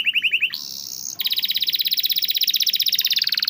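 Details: Canary song meant as training material for canaries that seldom sing: brief repeated notes, a short sustained buzz, then a long, very fast trill that climbs slightly in pitch toward the end.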